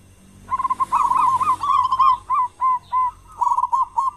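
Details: Zebra dove of a local strain with a big voice, used to lure other doves to sing: a rolling run of coos that slows into separate clear, hooked notes, then a brief quick burst.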